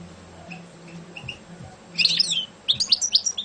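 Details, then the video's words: Champion European goldfinch, a competition bird, singing: faint high notes at first, then two dense bursts of bright, tinkling, twittering phrases with low background hum. "Şampiyon Saka Kuşu"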